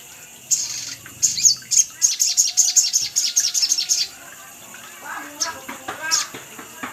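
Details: Sunbird call used as a lure to draw wild birds: a rapid series of high, thin chirps repeated about four times a second for several seconds, then scattered softer chirps and a faint background voice.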